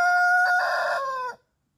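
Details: Mechelse koekoek and Blue de Landes roosters crowing; one gives a single loud crow, a steady held note breaking into a rough, strained middle, then dropping in pitch at the end, lasting barely a second and a half.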